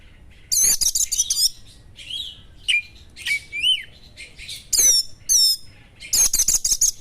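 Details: Oriental magpie-robin song, described as sharp material with small-bird phrases, meant to rouse a magpie-robin: loud bursts of high, steeply falling whistled notes, clustered stuttering chips, and softer rising and falling slurred whistles between them.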